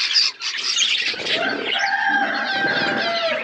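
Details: Budgerigars eating seeds in a natural outdoor aviary: sharp chirps at first, then drawn-out warbling tones and chatter over a flutter of wings.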